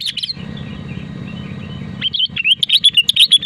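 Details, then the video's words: Sooty-headed bulbul, a strong singer used to stir other bulbuls to sing: a short whistle, a pause filled by low hum, then a fast tumbling series of bright warbled notes. "BURUNG KUTILANG GACOR DENGAN SUARA ASLI AMPUH UNTUK PANTINGAN KUTILANG AGAR BUNYI"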